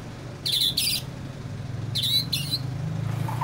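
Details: An easily agitated white-rumped shama makes two pairs of harsh, rasping, high scolding bursts about a second and a half apart, over a low background hum.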